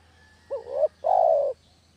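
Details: Village derkuku, the spotted dove, giving a lure coo for catching doves: a quick double-toned coo, then a held, gently sinking coo, one phrase over a quiet background hum.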